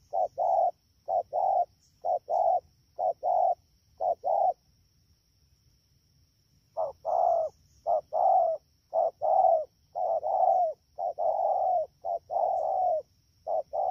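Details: Wild-caught rainy-season spotted dove at Dak To, Vietnam, 3 October 2019. A run of short coo pairs stops for about two seconds, then resumes with louder, longer, rapidly repeated coos.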